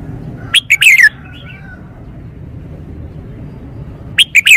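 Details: Captive Red-whiskered bulbul (Pycnonotus jocosus) showing off its song: bright, rich whistled phrases of quick notes, one burst at the start and another near the end, with a quiet pause between.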